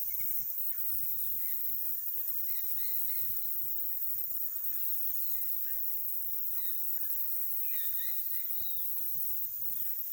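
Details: A flock of Silvereyes (Tauhou) in inland Kapiti, New Zealand, feeding on insects and native bush fruit in early autumn (March 23), give thin, high chirping notes, several calling at once, over steady hiss and low rumble.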